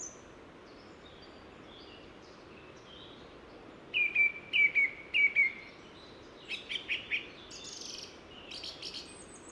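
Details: On a sunny Pyrenean trail in France's Ossau valley, a song thrush gives a crisp whistled note repeated four times in quick succession, then a faster chattering trill phrase, with faint high notes before and after.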